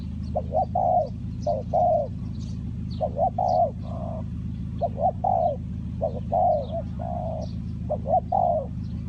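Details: Spotted dove, Ninh Thuận, Vietnam, heard during bird trapping. Its soft croo-crooo phrases repeat steadily, with occasional faint high chirps above and a droning low background noise.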